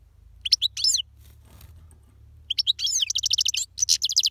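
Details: Parva goldfinch in powerful song: a few squeaky chirps, a brief pause, then a lively stretch of quick repeated notes ending in a fast, even series of bright pulses over a soft low hum.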